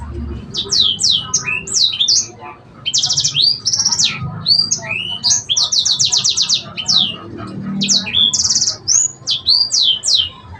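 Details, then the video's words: Sanger song in a varied cengkok style: rapid runs of high sweeping notes, falling slurs and buzzy trilled bursts, delivered in dense phrases with short pauses. "Cenkoknya Burung Sanger"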